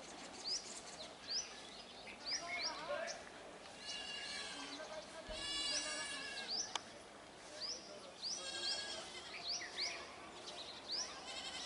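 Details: A flock of black-headed starlings in a dense mix of chirps, buzzy rattling notes and quick high upswept whistles that come in clusters, with a louder chattering stretch midway.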